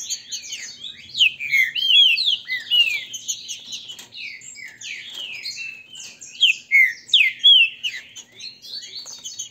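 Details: Captive-bred green-winged saltators in Brazil singing in a contest meant to warm the birds up, pitting the Grego mole song style against the boiadeiro style; dense, overlapping bursts of high, slurred whistles and sharp chirps, with louder phrases around the middle and end.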